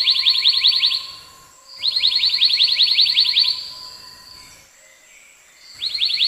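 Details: Black-naped monarch repeating fast trains of ringing, downslurred notes, each train lasting one to two seconds, three bouts separated by quiet pauses with a faint steady tone in the background.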